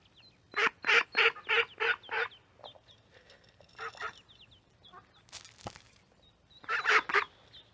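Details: Duck with duckling in a pond: a rapid run of about six harsh quacks, a pause, a short pair, then another burst, with faint high peeping throughout.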